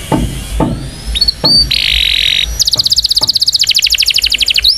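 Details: Indonesian canary's powerful song for training young canaries: a high, bright song with a short buzzy note, then a fast, even trill of ringing notes, about three per second and higher, with faint low thumps underneath.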